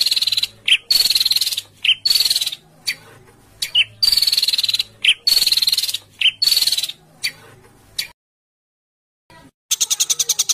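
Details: Harsh 'besetan kasar' sounds from a songbird, compiled as masteran tutoring material for home-kept and contest birds: long, loud, buzzy rasping bursts broken by short whistled notes, a brief silence, then rapid clicking pulses.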